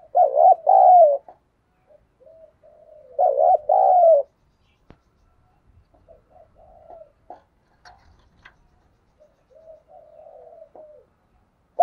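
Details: Caged decoy spotted dove calling to attract wild birds: two strong bursts of deep, wavering coos about three seconds apart, separated by quieter murmured notes and a few faint clicks.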